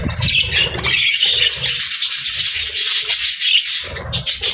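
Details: Several happy parakeets keep up continuous high, buzzy warbles and chirps, overlapping into a constant chattering din.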